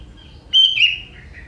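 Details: Young forest sooty-headed bulbul with a prenjak-flavoured song. There is one clear high whistle, then a lower rolling twitter, with soft fading notes trailing behind.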